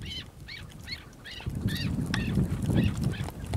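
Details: Chukar partridge calling a series of clear, arched, slightly nasal chuk notes, about three each second, over a loud low rumble like wind or handling noise.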